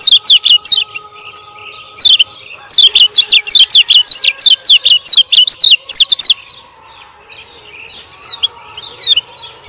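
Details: A male lemon-bellied white-eye of Lombok giving its 'ciak ciak' lure song: fast volleys of piercing, down-slurred chirps, a dense run in the middle, then sparser notes, with a steady high hiss behind.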